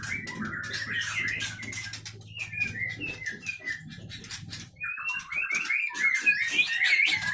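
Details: Leuser White-rumped shama kept in captivity in Aceh, known for fighting spirit and copying surrounding sounds; bright, high, rapid whistling with dense clicking, a short gap, then an energetic closing run.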